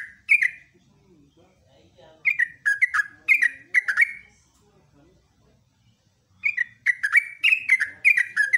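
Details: Yellow-vented bulbul singing energetically in the morning, phrases of quick, bubbly descending chirps broken by quiet spells, with faint low murmuring sounds in the gaps.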